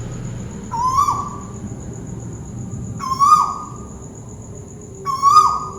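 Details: Malaysian tuwu bird (scops owl) calling from up above: three hooting notes, each a short level whistle that rises slightly then drops off, spaced about two seconds apart, over quiet low background hum.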